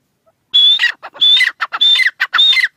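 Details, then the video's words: Francolin calling after a brief quiet start: four loud phrases, each a sharp high whistle running into scratchy, grating notes, separated by short clicks. "teetar ki awaz"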